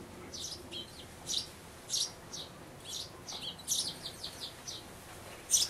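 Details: Sparrows at a nest box where a grown chick peers from the hole while parents come and go urging it to fledge, May 2012; a run of high, short chirps spaced unevenly through the recording.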